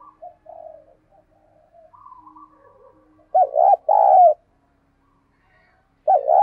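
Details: Decoy spotted dove in a cage, thúc call to excite other doves to coo: soft faint notes early, then two loud rounded coos in quick succession and another after a pause.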